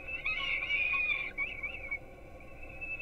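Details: Peregrine falcon young being fed at their nest in Gdynia, Poland, at 4:21 am, via live camera: one strong, sustained harsh wail with a few short wavering notes after, trailing into a faint high drone.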